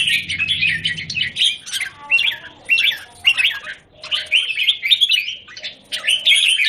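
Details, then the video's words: Square-caged red-whiskered bulbul, January 2019, delivering short bursts of scratchy chirps and twisting whistles separated by brief gaps, with a low droning background at the start. "Jambul - WingChun mastery of the square cage"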